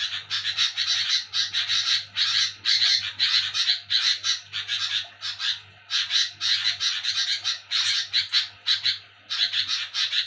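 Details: At night, while people sleep, a sooty-headed bulbul keeps up harsh chattering: ten seconds of scratchy, rapid bursts grouped in runs, with a few brief pauses and a steady low hum throughout.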